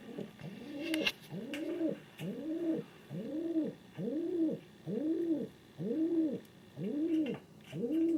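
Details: Low, rounded coos from a male pet king pigeon inside a home, each note swelling and falling, repeated evenly nine or ten times at under a second apart, with a faint click early on.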